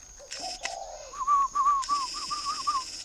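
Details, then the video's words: Spotted dove in a northern Vietnamese dove garden near Ba Vì, Hanoi, heard as a low coo followed by a quick series of six short wavering higher notes, with bursts of noise and a steady high hum behind. "chim cu gáy hay"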